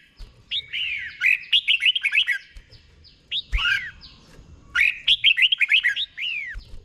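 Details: Teaching recording of a caged red-whiskered bulbul in 'boen' doubled song: two long bubbling phrases of rapid, arched whistles around a single swooping note, given clearly and slowly, with a light rumble underneath.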